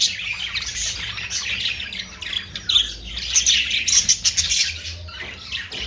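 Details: Budgerigar, called Australian parrot: dense, continuous high chattering of overlapping warbles, squeaks and sharp chirps, louder bursts near the middle, over a faint low hum.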